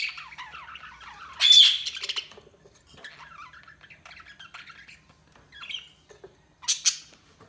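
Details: Budgerigar chirping: scattered warbling chirps and squeaky notes, with one loud harsh squawk early and another sharp burst near the end, in a quiet room.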